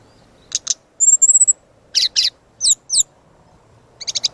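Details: Brown-chested jungle flycatcher master song for training: paired sharp chips, a string of thin high whistles, harsh doubled notes and a quick closing rattle.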